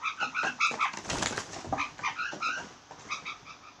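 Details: Blue jays repeating short, nasal, bell-like notes in quick succession, broken by a brief rushing noise burst, then more spaced nasal notes.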